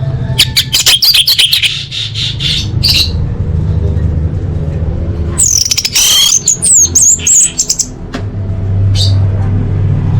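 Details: Orange-headed thrush singing, offered as training material to make birds champions: bursts of harsh, buzzy chattering notes at first, then a bright series of high, quick whistled slurs midway, over a steady low rumbling background.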